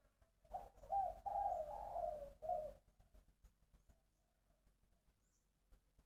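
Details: Spotted dove cooing in Long An, Vietnam, a bird with a three-part cadence: a low, hoarse, rolling coo phrase lasting about two seconds, then quiet with faint clicks.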